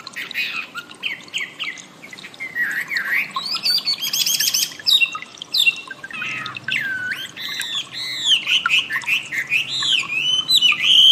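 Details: Wambi song used as training audio for cage songbirds: a lively, varied stream of whistled, slurred and squawky notes, with rising and falling phrases and quick chirps packed closely together, growing fuller toward the end, with no other clear sounds.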